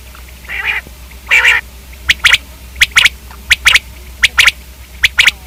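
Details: Common quail, known locally as batair, calling: two longer buzzy harmonic notes, then sharp high clipped notes in quick pairs and triplets, repeated roughly every half second over a low background hum.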